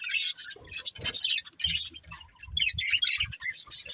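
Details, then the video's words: Choppy budgerigar chatter from a breeding pair: sharp squeaks, clicks and whistled chirps in quick irregular bursts, with low knocking sounds mixed in. "Cute Budgies Chirping Sounds"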